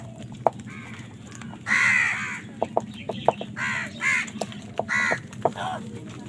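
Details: Crows fighting for food: harsh, hoarse caws in short bursts near the middle and end, with sharp clicking taps scattered through and a low steady hum underneath.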